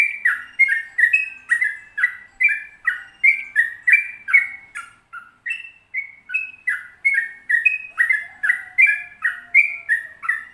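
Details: Sooty-headed bulbul singing a long rolling 'ropel panjang' song, used as a tutor recording for caged birds. Bubbly, slurred whistled notes, rising and falling in steady quick succession, about two per second, with a brief low whistle near the end.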